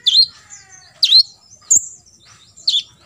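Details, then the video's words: Olive-backed sunbird, known locally as kolibri ninja, giving full tembakan isian notes used as a master recording for contest birds to copy: four sharp, high chirps spaced about a second apart, each a quick downward-sweeping flick. "KOLIBRI NINJA (KONIN) FULL TEMBAKAN ISIAN"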